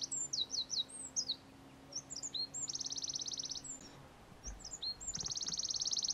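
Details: A Eurasian wren (Troglodytes troglodytes) pours out high, rapid phrases: sharp rising and falling notes broken by fast, even trills, all very high-pitched over a low, steady hum.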